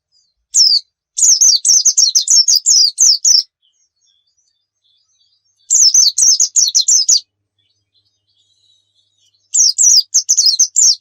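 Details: Pleci (white-eye) song as a lure to get birds singing: a lone chirp, then three fast bursts of high, tumbling notes spaced a few seconds apart, each lasting about one to two seconds.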